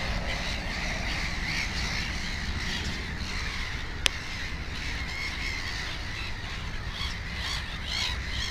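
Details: Black-headed gull at a nest with two chicks; rough, repeated calls from several gulls blend over low rumble, with one sharp click midway.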